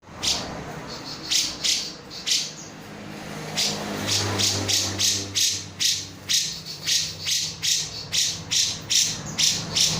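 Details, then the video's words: Grey-cheeked bulbul (cucak jenggot) in full agitated 'nembak' calling, meant as a lure for other birds: harsh, rasping bursts repeated in quick runs of two or three, with a low background hum. "cucak jenggot(cucak brues) full emosi nembak"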